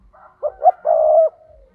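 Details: Spotted dove decoy bird giving the 'thúc' call used to lure wild doves for trapping: two short rising coos then one long, steady, throaty coo, low-pitched and clear, with quiet background.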